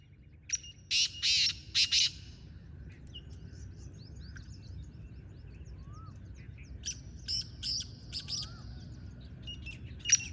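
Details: Calls of a wild black francolin joining a captive one: two separate phrases of harsh, scratchy bursts, the first of three or four notes and the second of four, with quiet bird chirps between them.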